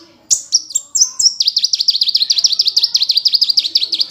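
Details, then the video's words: Sunbird with gacor ngunci song, a master recording for training songbirds. A few separate sharp high notes open, then a fast even trill of dipping, swooping notes rolls on for over two seconds. "Masteran Burung Kolibri Gacor Suara Ngunci"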